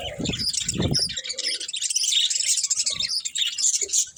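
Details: Budgerigars warble and chirp in high, buzzy chatter, with low rustling or fluttering thuds in the first second and a short low tone near 1.3 seconds.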